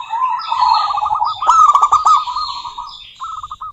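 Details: A local female zebra dove gives a rippling coo trill to a rival, swelling into rapid crisp pulses and fading to a short pulsed phrase, while high, thin descending calls of other birds sound behind.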